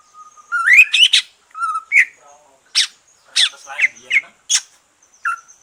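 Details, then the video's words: Green leafbird just through its moult, singing relaxed song used to stimulate other birds: a mix of clear rising whistles, sharp buzzy upsweeps and chattering bursts, separated by short silent gaps. "Kicau santai cucak ijo,,rangsangan cucak ijo selesai nyulam"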